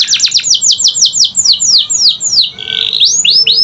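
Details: Canary song meant to provoke quiet canaries into singing: rapid high descending sweeps that gradually slow and lengthen, then a short buzzy section and a few rising-falling whistled slurs.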